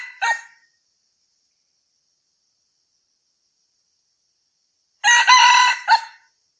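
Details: Red junglefowl crowing, offered as a hunting lure: a clipped crow fragment opens, then after a long silence one full harsh, ringing crow with a brief stuttered tail note, clean with no other sounds.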